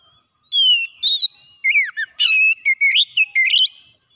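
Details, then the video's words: Morning song of an oriental magpie-robin, played for stressed birds: a long clear descending whistle followed by a quick run of loud, varied chirps, slurred whistles and rising notes. "KACER PAGI PEMULIH KACER SETRES MACET BUNYI LANGSUNG CEPAT GACOR"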